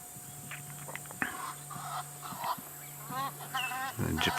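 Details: On a bush drive in Africa near a lion pride with cubs, Egyptian geese fly overhead giving a quick run of harsh, nasal honks, over a steady vehicle engine hum and a man's voice.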